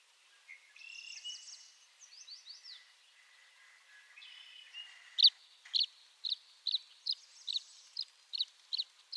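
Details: Tree swallow calling: liquid warbled twitters and downslurred chirps near the start, then a steady series of short, bright chip notes repeated about every half second.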